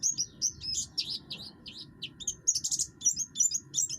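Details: Oriental white-eye of the buxtoni form in full song, a harsh voice used to provoke other birds into singing: dense run of high, sharp chirps and quick down-slurred notes, nearly continuous, with a low steady hum underneath.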